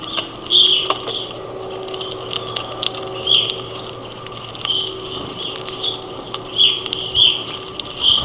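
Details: Grosbeaks with other birds feeding at a feeder during a snowstorm in northern Ontario give short, clear, high chirping notes in loose scattered bursts, with a steady low mechanical hum underneath.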